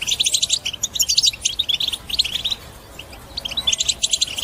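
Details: European goldfinch batbata song to encourage other birds' singing: bursts of fast, bright twittering and trilled notes, easing into a quieter gap around the middle before another lively flurry of chatter.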